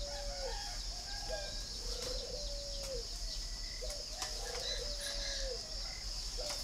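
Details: Series of gentle hollow coos, several in a row with short pauses, from a caged spotted dove with red bill and yellow legs at a breeding farm in Ba Vì, Vietnam; a thin steady hiss runs throughout.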